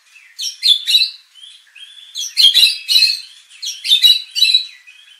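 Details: White-rumped shama training lure for contest birds, meant to make them emotional and show off their song: clusters of bright whistled and chattering notes in three short bursts, with soft pauses between.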